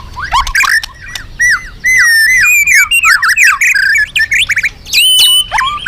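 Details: Vigorous loud magpie-robin song used to attract other birds: dense cascades of whistled slurs, trills and squeaky notes, ending with a long clear whistle and falling phrases.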